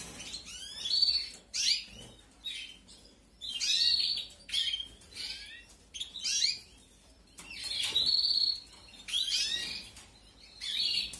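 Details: Begging canary chicks during feeding, aviary breeding season 2021: repeated bursts of shrill, scratchy cheeping, about eight loud pulses over eleven seconds, each rising and falling quickly, with quieter rustling between.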